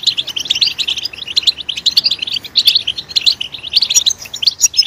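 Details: Goldfinch singing loudly after being stimulated: a continuous rapid stream of high twittering notes and tinkling chirps, even in pace, with a few sharper accents near the end.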